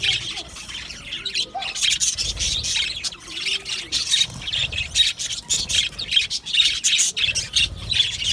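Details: Budgerigars in an aviary colony, a dense continuous chorus of overlapping chirps, squawks and warbling from many birds, mostly high-pitched, with faint low thumps in the background.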